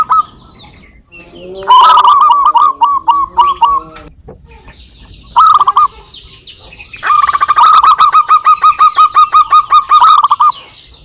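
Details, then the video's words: Local zebra doves singing back and forth, recorded for use as a lure: bursts of rapid, evenly spaced cooing notes at one steady mid pitch, several rippling phrases answering each other with short pauses between. "perkutut lokal gacor suara saling saut"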